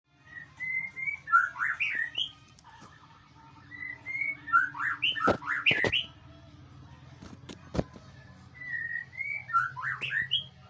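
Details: White-rumped shama song used to train birds and prompt a reply: three spaced phrases of clear rising whistles ending in quick warbled flourishes, with a few sharp clicks and a low background hum.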